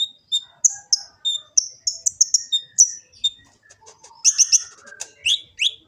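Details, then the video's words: Gresik, East Java kolibri ninja sunbird on an Android phone, used as a master song for training: evenly spaced high thin chips, then a louder jumbled twitter with downward-sweeping whistled notes. "Kicau burung kolibri ninja full isian"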